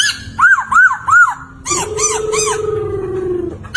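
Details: Loud poksay laughingthrush song for training other singing birds: three clear arched whistles about every 0.4 seconds, then more arched notes over a long, level, slightly falling hum-like tone.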